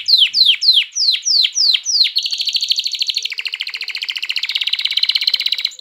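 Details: A canary sings to rouse hens to breed and prompt chicks to sing. A run of seven sharp descending swoops leads into a long, even, rapid trill that stays high and continuous.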